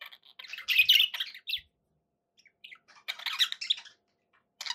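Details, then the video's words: Pet budgerigars giving a loud burst of harsh, squeaky chatter, a quiet pause with a few soft notes, then another scratchy twittering burst and a short final squawk. "budgie sounds"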